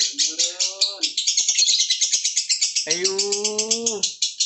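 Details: Long-running ngekek from a lovebird: continuous high-pitched chattering, fast and even, with two stretches of men's voices commenting over the bird.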